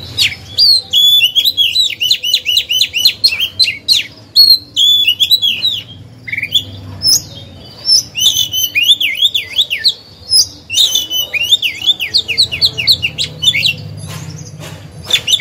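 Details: Oriental magpie-robin lure bird singing to provoke others; extended bursts of rapid, repeated downslurred whistles and harsh chips in dense phrases, separated by short pauses over fifteen seconds.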